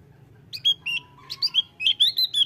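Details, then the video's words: A Javan grey-throated white-eye sings a lively, rapid run of high, thin chirps and short whistled slurs, about ten notes in two seconds, over a low hum. "OPIOR JAWA GACOR...KICAUANYA BAGUS SANGAT MENYENANGKAN"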